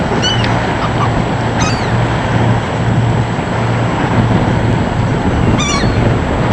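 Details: Seagulls being fed, giving a few scattered harsh, downslurred cries with rich overtones, nearly buried under loud constant wind and water rumble.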